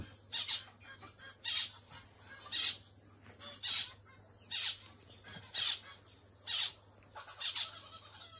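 A zebra finch gives short, nasal, toy-trumpet-like beeps, roughly one per second at an uneven pace, over a steady faint high hiss.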